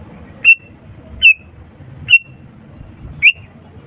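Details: Sooty-headed bulbul recorded to prompt lazy birds to sing: four single sharp whistled notes, slightly falling, roughly one every 0.8 seconds, with a soft low rumble behind.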